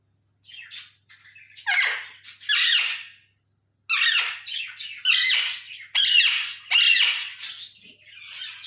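An Alexandrine parakeet gives harsh, raspy squawks in short bursts, a few seconds of loud screeching broken by a brief pause, in a quiet indoor room.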